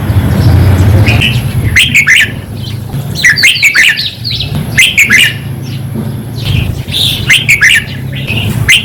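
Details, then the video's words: Red-whiskered bulbul song for exciting caged birds: lively bubbling phrases of quick warbled notes, given in rapid bursts almost without pause, over a steady low rumble. "เสียงนกกรงหัวจุกแก้มแดง เปิดให้นกฟัง ยั่วให้นกคึก"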